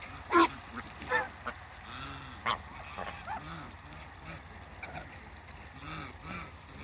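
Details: Mature pair of African geese on a farm, meeting new birds: loud, harsh honks with stacked harmonics in short bursts, a strong one near the start and others about a second apart, then quieter calls over background hum.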